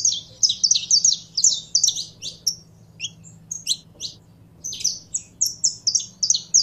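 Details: A kept saffron finch (canário-da-terra) warming up to sing: quick bright chirps, some in pairs, with a brief lull before another rapid string of high notes; low electrical hum beneath.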